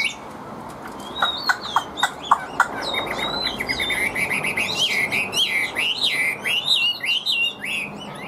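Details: Caged Chinese hwamei singing in the 'điện đóm' style with a strong, even voice. Sharp clicks open the clip, then a fast run of loud whistled notes sweeps up and down between middle and high pitch.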